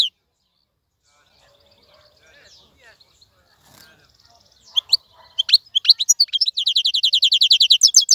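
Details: Captive wild-caught European goldfinch starting quietly with faint scattered notes, then building after four seconds into loud high chirps and a fast, steady rattling trill that runs to the end.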